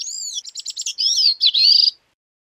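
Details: Bicknell's thrush singing a high, fluty phrase: a slurred arching whistle, a quick run of stuttering notes, then wavering spiralling whistles that rise at the end, about two seconds long, with no other sounds.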